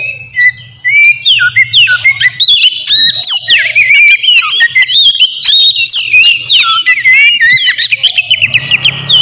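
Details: White-rumped shama in loud, lively song used to provoke a rival: a fast, varied stream of sharp whistles, trills and chattering notes running continuously, with abrupt pitch jumps and clipped loud phrases.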